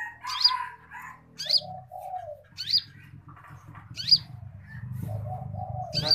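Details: Training song of a konin kept as a cage bird. Shrill upward whistles repeat about every 1.3 seconds over a low warble, with a steady low hum in the background.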